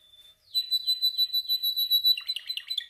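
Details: Caged canary singing during song training: a rapid series of rolling trilled notes near 4k, repeated about five times a second, ending in a burst of choppy chirps.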